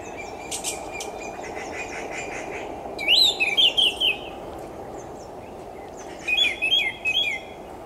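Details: Melodious song of an orange-headed thrush: two separate phrases of rapid, rich, slurred whistles rising and falling, the first longer and louder, the second a shorter echoing phrase, with faint chirps from other birds between them.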